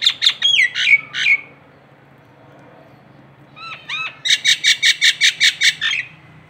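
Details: Local Nias hill myna from Indonesia: loud ringing whistles and sharp downslurred notes, a pause, then looping whistled notes and a fast burst of about ten harsh, buzzy squawks.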